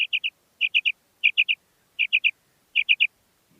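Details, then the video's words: Female common quail (batair) calling: clean, crisp three-note phrases, each a quick bright liquid triplet, repeated five times about every 0.7 seconds against a silent background. "Female Batair Ki Awaz|Maadi Batair Ki Awaz new| Common Female Quail Calling|New maadi Batair Ki Awaz"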